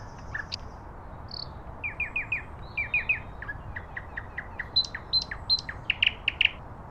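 Common nightingale song of rich, varied phrases: quick runs of repeated chirping notes, a few bright high whistles, and a faint noisy background.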